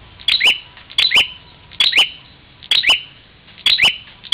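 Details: Bar-winged prinia from Parigi, Ciamis, West Java, attacking its reflection in a mirror, uttering five paired sharp chirps with upswept second notes at an even pace of about one pair per second.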